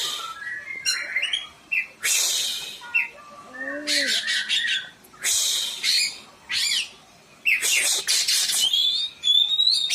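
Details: Caged oriental magpie-robin prompted to sing, loud varied song mixing harsh squawky bursts, rapid clicks, whistled slurs and a low downward note, delivered in dense bouts with short gaps.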